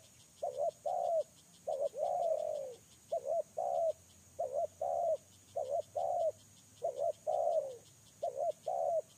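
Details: Spotted dove serving as a lure bird, producing a run of paired coos, each pair a quick note then a fuller drawn-out coo, some stretched and falling, with regular insect clicking behind.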